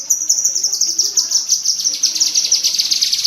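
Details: Shrill repeated chips from a cucak kinoi bulbul in a tembakan cerecetan burst for pet bird training, the notes falling slightly in pitch as they speed along in a steady rattle.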